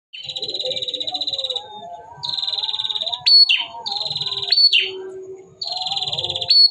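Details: Male bar-winged prinia singing in bursts: long buzzy, rattling trills about 1.5 seconds each, broken by quick rising-and-falling sweeping notes, with short pauses between phrases; faint low murmuring underneath.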